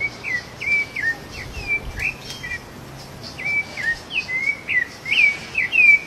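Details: Rufous-bellied thrush singing in the wild during feeding: a string of crisp whistled notes, a lull, then a faster run of rising and falling whistles, over low continuous ambient noise.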